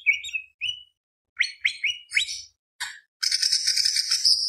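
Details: Greater green leafbird delivering gacor tembak beset long-roll song as a provocation recording: a series of rising whistled slurs and sharp chips, then a continuous, rapid rattling trill held to the end.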